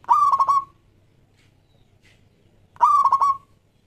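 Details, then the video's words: Zebra dove of local stock, singing actively as a lure for doves, delivers two quick stuttering coo phrases about three seconds apart, each a rapid run of throbbing notes. "Perkutut Lokal Gacor JAGO PIKAT semua jenis"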